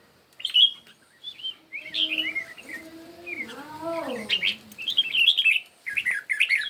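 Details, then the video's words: Morning competition singing by red-whiskered bulbuls: clear chirpy warbled notes come in scattered bursts, while a lower, drawn-out, descending harmonic call from another bird runs through the middle. "Chim Chào Mào Hót Đấu Buổi Sáng"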